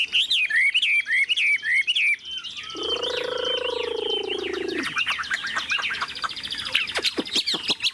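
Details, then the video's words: Caged Chinese hwamei, a large-bodied bird, singing: rapid runs of loud, high, looping whistled phrases, then a low droning human voice for about two seconds, after which varied whistles and sharp clicks resume. "Chim họa mi bộ to như khướu, dáng ngũ trường, giọng hay"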